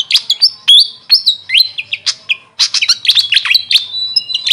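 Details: Grey fantail, locally Maria Capra, calling loudly with sharp high squeaks, clipped upslurs and flat thin whistles strung into quick irregular phrases.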